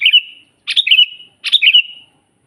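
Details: Sooty-headed bulbul in full song, used as a master recording to train birds: three rapid liquid phrases, each a bright burst tailing off into a sustained whistle, separated by brief gaps.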